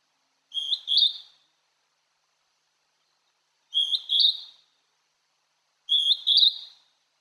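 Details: Song of a wild Hodgson's hawk-cuckoo at Tomin-no-Mori, Tokyo: three clear, loud two-syllable whistles, second syllable higher, separated by silent gaps of about two seconds.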